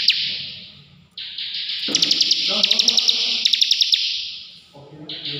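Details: Ngebren song of a ciblek (bar-winged prinia): an intense buzzing trill studded with sharp rapid clicks, starting after a quiet second and fading near the end, with low background noise.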